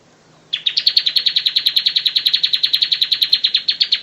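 Bar-winged prinia giving a fast, dry trill of high, sharp notes, roughly eight per second, held steady for several seconds against a quiet background.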